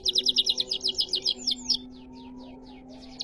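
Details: Canary singing in the riwikan style: a fast run of about a dozen bright, evenly pulsed high notes, then softer descending slurred whistles that fade out, with a steady low hum underneath.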